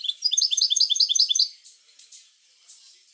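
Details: Rapid, tinkling twitter of a European goldfinch, about 1.3 seconds of quick repeated notes, then quiet. Played to stimulate goldfinches to sing.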